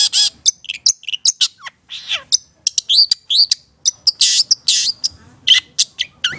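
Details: Long-tailed shrike of the Madura type singing a fast, varied medley of sharp chirps, rising whistles and harsh chattering notes, packed closely with hardly a pause.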